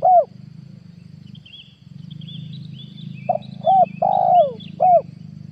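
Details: Spotted dove call used to lure wild doves for trapping, 2022. A single coo, a gap, then a four-note phrase with a long descending coo, and faint high chirping from other birds over a low hum.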